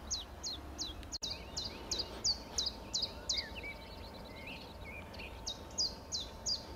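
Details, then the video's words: Common chiffchaff song of rapid, repeated high descending notes, about three per second, mixed with lower whistled phrases from other birds and one sharp click early on. "LUI' PICCOLO (Phylloscopus collybita)"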